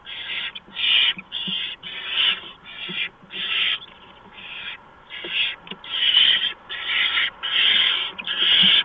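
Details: Barn owl nest at 4:26 AM on 6 March 2015, where a mouse is brought in; about thirteen loud rasping hisses run almost continuously, with a brief lull in the middle.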